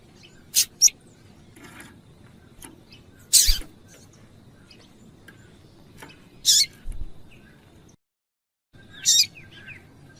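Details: Female Double-collared Seedeater calls, played to stir a male into singing: sharp, high chips, singly or in quick pairs, every two to three seconds over a steady low background hum.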